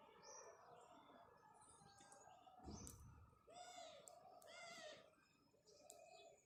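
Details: House sparrow in the morning: a few loud, bright arched chirps around the middle of the recording over a busy background, with low cooing from a dove and other faint bird calls.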